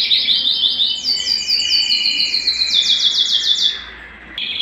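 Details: Canary singing excitedly at home, wanting to mate: series of rapid descending slurred notes repeated about five per second over a lower hum-like trill, then a short pause and a restart.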